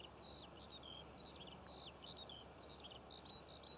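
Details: Skylark song over Cornish poppy fields, filmed in June: rapid, unbroken high warbling of short whistles and trills, with a constant low broadband hiss and rumble beneath.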